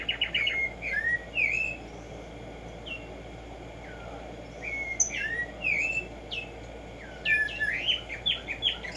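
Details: Black-striped sparrow (Arremonops conirostris) in morning song: many quick slurred whistles, each swooping up or down, clustered in bursts with quieter pauses between.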